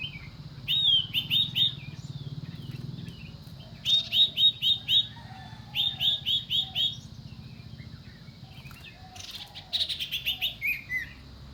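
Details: Common iora calling: bursts of four or five quick, sharp chirped notes, repeated in groups every couple of seconds, with a low steady hum in the background.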